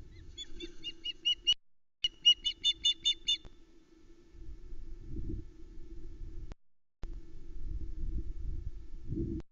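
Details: Nest cam at Loch Arkaig, 8 July 2020 late evening: a female osprey screeches as the male brings fish for the chicks; two quick series of sharp repeated notes, then only low rustling and thumps.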